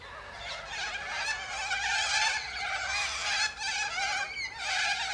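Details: A flock of Sulphur-crested cockatoos feeding on seeds from pods high in a Silky Oak tree gives harsh, rasping screeches that overlap into a steady, raucous din, with brief dips before the noise swells again.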